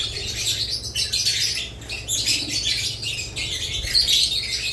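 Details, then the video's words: Continuous high twittering and scratchy chatter from budgerigars and lovebirds, many voices overlapping with small dips in volume, plus occasional clear whistled notes and a faint low hum. "Budgerigars lovebirds Chirping Sounds"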